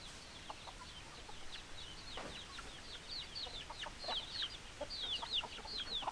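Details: Flock of chickens giving rapid, high-pitched downward-slurred peeps, with the calls growing denser and louder toward the end, plus a few lower clucking notes.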